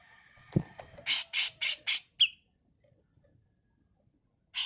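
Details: Female grey-cheeked bulbul, kept as a tutor recording for training birds, giving a harsh rasping 'mbeset kasar' burst: four or five loud scratchy broadband notes in quick succession, then a sharp single note and a pause before another rasp.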